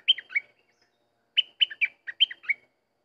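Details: Sooty-headed bulbul song: a short two-note fragment, then a brief pause, then a full run of six or seven clear, warbled notes that bounce up and down in pitch. Background is quiet.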